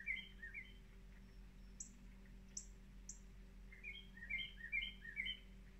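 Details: Northern cardinal singing in the rain: bright, slurred whistled notes in quick clusters, pausing, then resuming; sharp drip-like ticks and a steady low hum underneath.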